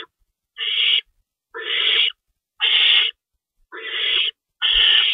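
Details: During a nighttime feeding at an owl nest, March 25, 2012, with an adult tearing rabbit meat: five long, rough breathy screeches, each about half a second, spaced roughly one second apart.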